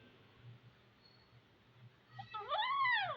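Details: A pet Indian ringneck (rose-ringed) parakeet, a talking parrot, gives one loud, rich, nasal cry that arcs up and then down, under a second long, after a quiet start.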